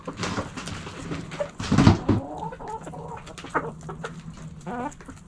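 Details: Backyard chickens in their coop, hens clucking: short low clucks and a brief louder squawk, ending in a series of quick, rising, nasal calls, with scratching and movement noises in the coop.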